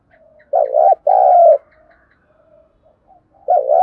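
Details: Spotted dove lure call for training wild-caught birds; a quick doubled coo and a longer steady low coo, brief quiet murmurs, then another doubled coo.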